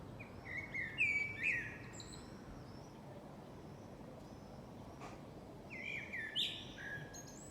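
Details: Birds singing in a yard on a summer morning or evening: bright whistled phrases with slurred, rising and falling notes, some high thin notes, a quiet gap midway, then more whistling, over steady low background noise.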